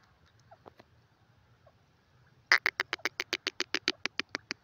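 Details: Grey francolin, male and female, dakhni teetar: a few soft notes, then a loud, harsh, rapid series of about seventeen clipped notes over two seconds against a quiet background.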